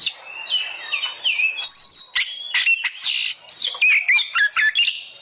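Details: Oriental magpie-robin singing, offered as a lure to provoke caged birds into song: fluid whistled phrases sliding down, then mixed buzzy bursts and chips, about 28 notes a minute in uneven rhythm.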